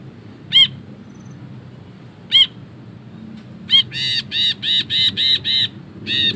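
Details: Ashy bulbul singing a long ngekek chatter for masteran: two isolated sharp notes, then a fast run of six rasping, evenly spaced notes and a final burst, all harsh and buzzy over low background rumble.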